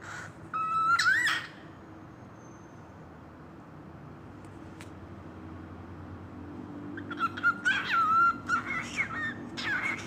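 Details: A cockatiel mimicking a kissing sound makes smacking kisses in two short bursts, mixed with chirpy whistles.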